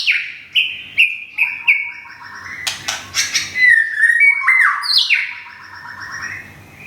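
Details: Thai white-rumped shama from Thung Song, newly rehoused and finishing its moult, sings descending whistled notes in a steady run, then harsh clicks and a final set of swooping whistles.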